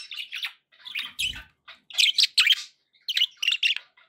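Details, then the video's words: Pet budgerigars chattering indoors: rapid bursts of scratchy, warbled notes and squeaks in quick clusters, with brief pauses between groups. "budgie sounds"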